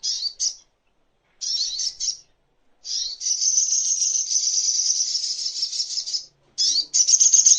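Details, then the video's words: Crimson sunbird (sogok ontong) master song for teaching cage birds: short high buzzy phrases with pauses, then a long continuous shrill rapid trill lasting about three seconds, resuming after a brief gap. "Masteran Songon(Burung Sogok Ontong)"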